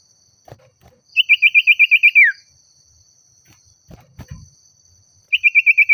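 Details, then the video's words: Agitated Oriental magpie-robin calling out a rival: a rapid run of about ten sharp, identical whistled notes ending in a falling slur, then a quiet gap, then another fast repeated run. "Suara Burung Sirtu/Cipoh Gacor Memanggil Lawan Bikin Emosi"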